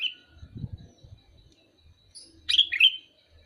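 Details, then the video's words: Sooty-headed bulbul calling: a short burst of bright, bubbling two-part notes near the end, preceded by a faint high whistle, with soft low thumps and handling noise earlier. "Suara burung kutilang memanggil"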